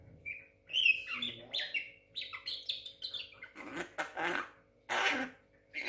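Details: Six-month-old Javan myna kept as a pet and said to imitate speech. It gives a string of squeaky whistled chirps and twittering notes, then several loud harsh rasping bursts and a final whistle, indoors.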